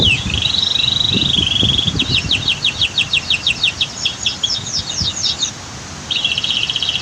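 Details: Kenari, the canary, sings a long wavering whistle, then a dense burst of fast high trilled notes and a final buzzy held tone, against the loud rush of a waterfall and dam in a masteran training recording.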